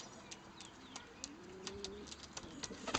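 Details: Pair of pet pigeons at a rescue centre, feeding each other before mating; a soft, low, drawn-out coo rises and wavers midway, amid quiet clicks and tapping sounds.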